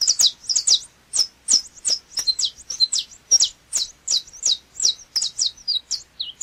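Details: Saffron finch producing a steady chain of strong, sharp, high notes, some doubled into quick pairs, sweeping downward and repeated briskly without a break.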